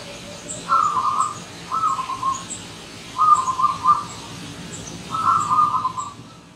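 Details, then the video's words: Wild zebra dove come visiting, repeating four short, rippling trilled coo phrases about a second apart, with faint distant chirps in the background. "Kedatangan Tamu Perkutut Liar"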